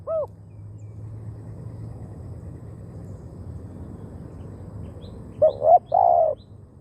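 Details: Spotted dove decoy: a single short coo opens, then a long quiet stretch of low background rumble before a quick phrase of clipped coos and a drawn-out coo near the end.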